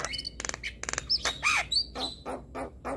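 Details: Male Javan myna giving a provoking training song: rapid rattling bursts, then a few clear whistled slurs and raspy harsh notes in close succession.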